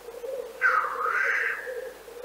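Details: Black grouse in Central Russia: a single harsh, breathy hiss lasting about one second over a steady, low, continuous bubbling murmur.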